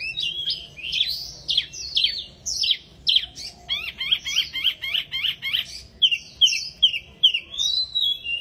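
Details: Small wambi bird in full, busy song: a long stream of high slurred whistles and sharp chirps, including a fast run of zigzag notes, repeated in quick irregular phrases.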